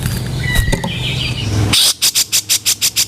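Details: Grey-cheeked bulbul, cage-bird training recording of 'kasaran' rough calls: after a noisy stretch with faint chirps, a tight run of eight scratchy, rasping notes follows at an even pace.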